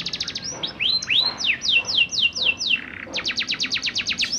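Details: Learning young canary singing in ngerol style as a lure for other canaries: a fast high trill, rising slurred whistles, a series of falling sweeps, then another rapid trill.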